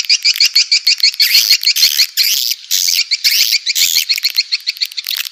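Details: Indonesian swiftlet farming sound: loud overlapping chirps and squeaky trilled twitters in rapid pulses, about two per second, continuing without pause.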